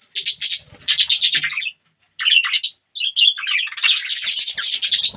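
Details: Budgie chatter: rapid rows of high, buzzy chirps in two long runs broken by a short silence, steady and lively throughout.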